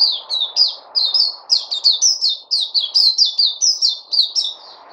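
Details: Bird song made of rapid, high, downslurred chirps strung together almost without pause, with some notes doubled, and a faint low background hum.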